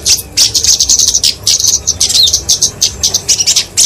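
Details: Kemade flowerpecker (genus Dicaeum) fighting song, used as a training and lure recording for small songbirds: steady series of very high, crisp tick notes several per second, with short thin downslurred whistles scattered through.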